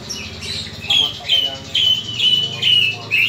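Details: Aggressive, fighting-mood greater green leafbird giving a harsh, repeated series of high, slurred notes, roughly two per second, with faint low background noise.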